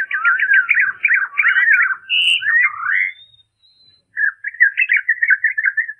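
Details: European robin singing, slowed to half speed so high notes and modulations stand out; rapid repeated trilled notes, then twisting warbled phrases, a pause, and another rippling phrase, with a chaffinch joining in.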